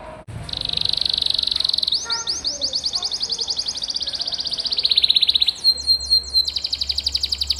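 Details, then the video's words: Singing canary, a 'masteran' recording meant to teach pet canaries: a long, fast buzzy trill that rises and holds, then crisp descending notes and another rapid rattling trill; faint low hum beneath. "Suara Burung Kenari Gacor Bikin Hati Tenang | Suara Masteran Kenari Terbaik Sepanjang Hari"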